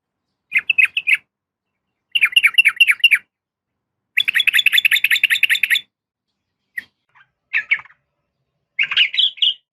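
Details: A female yellow-vented bulbul calls to attract a male with repeated clusters of rapid, bubbly chattering, a long dense burst, then scattered single notes and a rising final phrase.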